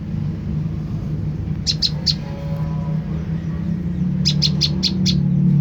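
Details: Olive-backed tailorbird call used as a lure to draw an answer. A brief trio of high, sharp chips, then a run of five more, over a prominent low rumbling hum.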